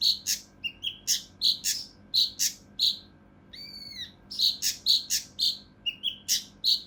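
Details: Harsh, dense bursting song of a mountain leaf warbler, meant for training competition birds. Rapid rasping notes and sharp chirps run steadily, broken once midway by a clear, slurred, downward-curving whistle before the rough bursts resume.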